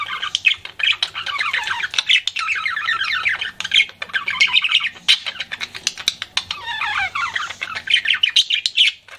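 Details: Pet budgie flirting, giving a continuous, busy stream of rapid warbling chatter and scratchy chirps with brief gaps, lively throughout.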